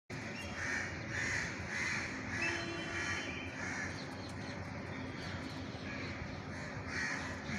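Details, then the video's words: A crow, given food at this spot in India, gives harsh, nasal caws in a loose series, about one every half second to second, over a steady hum of background noise. "crow sound / কাকের ডাক"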